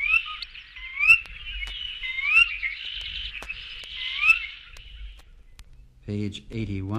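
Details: Sora from a 1961 guide to eastern and central North American bird songs, giving clear, rising whistled 'ker-wee' notes about once a second over busy background chirps, followed by a man's spoken announcement.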